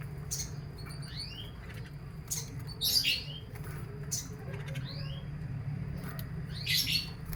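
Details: Canary sunned in the morning between 8 and 10 o'clock, giving short rising whistled sweeps and sharp chirps at irregular intervals over a steady low hum.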